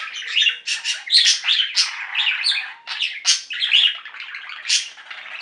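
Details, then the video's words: A singing flock of pet budgerigars chirping and warbling continuously, with dense overlapping buzzy and whistled notes and sharp chirps rising and falling, some loud bursts standing out. "Most Beautiful Budgie songs Ever: Budgies singing and chirping"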